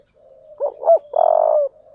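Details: Spotted dove in the 'giọng thổ' voice, cooing to provoke a fight. A soft low hum leads into two quick rising coos, then a loud, drawn-out, burry note that ends in a fading murmur.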